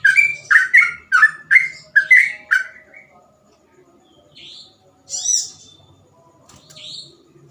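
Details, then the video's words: A yellow-vented bulbul delivers a fast burst of six or seven bubbly, rolling whistles in ropel style. The song then stops, leaving a few thin, high chirps and a faint low hum. "burung trucukan gacor ropel cengkok mudah di tiru"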